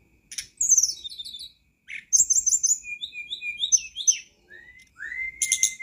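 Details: Flycatcher known locally as tledekan gunung, singing in a master recording meant to stimulate a caged bird; descending whistled slurs, repeated short whistles and a rising sweep near the end.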